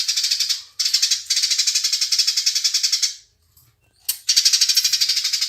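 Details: House sparrows fighting: dense, harsh, rapid chattering bursts pulsing about ten times a second, broken by a short silence near the middle before the chatter resumes.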